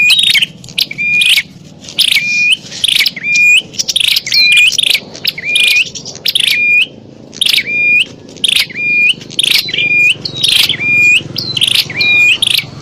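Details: Bar-winged prinia in a noisy fight, recorded as a lure for wild birds: fairly regular bursts of rasping chatter, each closing with a bright whistled note, about one per second across the stretch, with a soft low drone behind.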